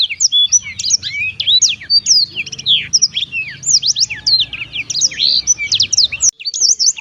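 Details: Black-throated canary singing cheerfully, a dense rapid medley of sharp high chirps and slurred whistles continuing steadily, a soft low hum underneath and a click near the end.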